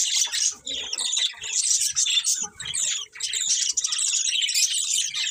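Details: Colourful budgies warbling in a loud, unbroken mix of raspy chatter, trills and sharp chirps from several birds calling at once.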